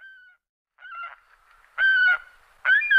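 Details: An adult saker falcon gives three harsh, nasal screeches, each under half a second, spaced roughly a second apart, in otherwise quiet surroundings.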